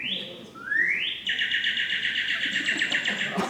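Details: Northern Cardinal in Georgia, July, one of several varied sounds from the same individual: two clear upslurred whistles, then a fast, even run of repeated chipping notes lasting about two seconds.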